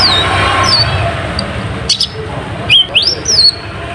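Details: Lure song from an olive-backed sunbird (kolibri ninja) to draw rival birds: thin descending notes, then loud, quick upslurred and downslurred high whistles in a short energetic burst.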